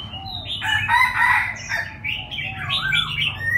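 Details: Juvenile Chinese francolin aged six months practicing to crow: a loud, rough, broken phrase of harsh notes followed by a run of arched, scratchy syllables, irregular in rhythm, with faint chirping from other birds behind.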